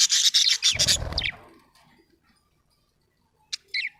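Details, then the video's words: Happy budgerigar opening with a loud burst of rapid, scratchy warbling, then silence broken by two short, sharp chirps near the end. "Happy budgie chirping sound"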